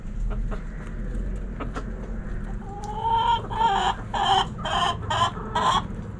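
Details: Backyard rooster crowing among hens: after faint clucks, a rising harmonic note leads into a loud crow broken into four or five ragged bursts, about one per half second.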